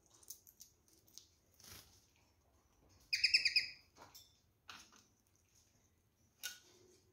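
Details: A pair of rose-ringed parakeets feeding on apple and seedless orange. A quick burst of about five harsh, squawking notes in under a second stands out amid soft pecking, rustling and clicking.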